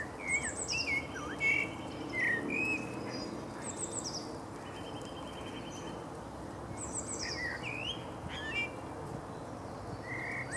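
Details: Male common blackbird recorded in Berlin, Germany, in April 2015, singing a series of rich, whistled phrases about every few seconds. Each phrase trails into high, scratchy twitters over a low background rumble.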